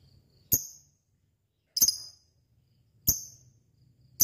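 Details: Lovebird uttering isolated sharp, high chips roughly every one and a quarter seconds over a soft low hum, from a recording meant to provoke other lovebirds into ngekek singing.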